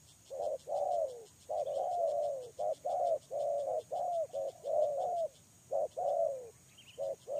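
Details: Close, loud spotted dove lure bird giving a dense series of falling coos and short clipped notes, some run together, with a pulsing insect chorus high in the background.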